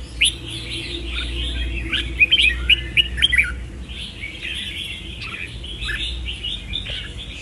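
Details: Red-whiskered bulbul giving a string of quick whistled notes, several sharp accented chirps in a row, then softer rambling warbles over low background rumble.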